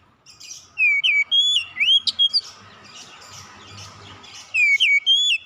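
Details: Oriental magpie-robin calling to its companions: clear whistled notes that slur downward and then rise, given in short bursts with brief pauses, over faint low background hum.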